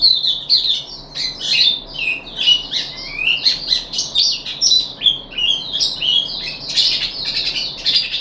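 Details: Captive puff-backed bulbul on day three of deworming, 14 July 2021: a busy, chattering run of high chirps, slurs and short rising notes, softer and more varied than plain calling.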